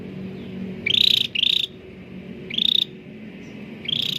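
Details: Cucak ranting bulbul in lively, clear-voiced song meant to coax hesitant caged birds into singing: four short, slightly rising trilled whistles spaced unevenly, the first two close together, against a soft low background hum.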